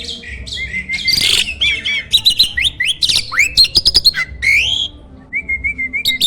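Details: Loud song of a prize-winning starling recorded as a training master for contest birds: a jumble of scratchy chatter, rising and falling whistles, bursts of rapid clicks, and a brief pause before a steady whistled phrase.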